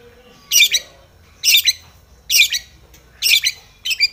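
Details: Agitated Long-tailed shrike seeking a rival. Loud grating, scratchy squawks repeat about once a second, each a rough double burst, over near silence.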